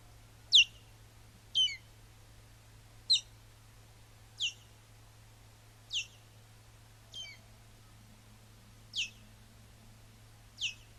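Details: Male osprey wintering in Urdaibai, calling on a live stream as the female arrives: eight thin, piercing, falling whistles spaced irregularly over about eleven seconds, some broken and chattering, above a constant low electrical hum.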